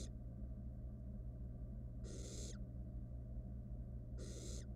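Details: Nest-box camera of wild barn owls: a nestling gives two drawn-out, noisy hissing screeches about two seconds apart, each ending in a slight downward slur, above a steady hum.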